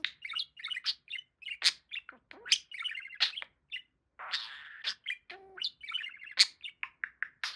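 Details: Male pet budgie warbling and chattering, quick bursts of chirps, buzzy trills and speech-like harmonic phrases, with a harsher raspy stretch midway, the busy babble running almost without break.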